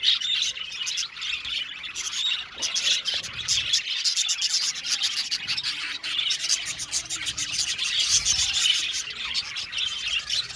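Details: Colony of budgerigars kept in an aviary, an unbroken wall of high, buzzy twitters and chirps from many birds at once.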